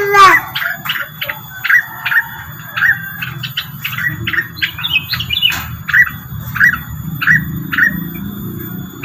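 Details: Rengganis bird lure song: an opening squeaky squeal, then a long run of evenly spaced crisp chirps, with a brief warbled phrase midway and low background rumble.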